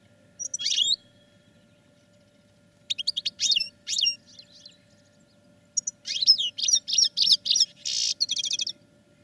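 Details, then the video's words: Goldfinches caged for song training deliver sharp twittering bursts: a loud opening chirp, a stuttering run of high notes, then a long dense sequence of rapid liquid chirps and trills. "Goldfinches Singing in CAGES for TRAINING"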